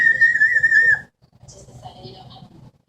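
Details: Pet Amazon parrot in a room giving one steady, pure whistled note lasting about a second, followed by faint soft chatter.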